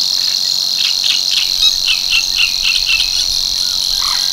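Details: Savi's warbler song from Tancat de l'Illa, l'Albufera: an unbroken high buzzing trill forms the backdrop while lower, rhythmic chirping notes of another bird repeat several times a second.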